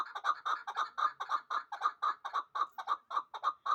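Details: Hybrid partridge, two years old, bred for fighting and hunting, in Dushanbe, Tajikistan: loud, clear chuk notes in doubled pairs, repeated steadily about four times a second, with a bright ringing overtone on each note.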